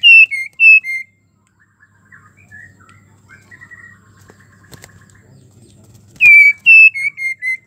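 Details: Female white-rumped shama in breeding condition calling a male: bursts of loud, clear downslurred whistles at the start and again near the end, separated by a stretch of soft, scattered chirps and low background rumble, with two brief clicks.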